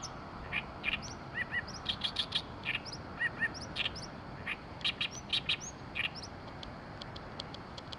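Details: An Oriental reed warbler in Oyama, Tochigi, Japan, delivers a harsh, grating, chattering song of rapid buzzy notes and high clicks, repeated in quick bursts over a soft background hiss.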